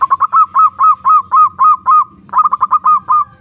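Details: Zebra dove calling a rival, recorded as a lure to provoke and arouse other doves: bursts of quick staccato coos running into longer slurred, hooked notes, two phrases with a short pause, faint low rumble beneath.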